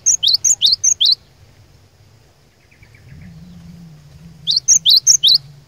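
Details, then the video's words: Glatik batu lure song: a fast, even run of six loud, high, ringing notes, a gap with a faint soft buzzy trill, then another quick run of six notes. "Kicauan Glatik Batu Pikat Gacor Door, Cari LAWAN...!!! Dijamin Cepat Bikin Glatik Lain Bunyi Gacor"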